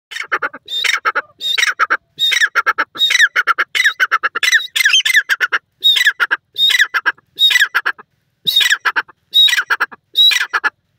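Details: Grey francolin, known locally as dakhni teetar, calling: loud, harsh, ringing squawked notes grouped in rapid bursts, about a dozen phrases in quick succession with brief silent gaps, no other clear sounds.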